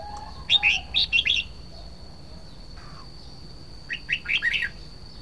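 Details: Red-whiskered bulbul, called nok krong hua jook in Thai, gives two quick bursts of bright, chirpy warbled notes about half a second long, separated by a pause of roughly three seconds, over a steady thin high whine.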